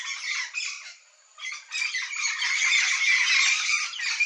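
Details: Wild flock of Yellow-faced parrots (Alipiopsitta xanthops) squawks in a harsh, overlapping chorus that pauses briefly, then swells into a dense, continuous chatter.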